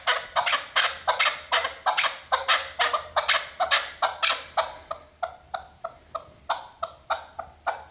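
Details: Female chukar partridge, a hunting sound, starting with loud, rough clucking notes in quick succession, then the notes thin into shorter, sharper clicks that slow slightly toward the end.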